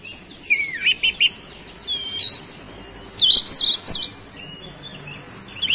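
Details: Oriental magpie-robin, or kacer, singing as bait to spark other birds' song: sweeping whistles, a sustained trilled note, then rapid high chattering bursts and a faint closing phrase.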